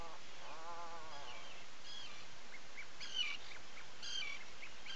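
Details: A breeding Atlantic puffin calls from its burrow on Seal Island National Wildlife Refuge, Maine, around dawn. A single short, quavering low groan opens the recording, followed by scattered thin chirps and squeaks from other seabirds nearby.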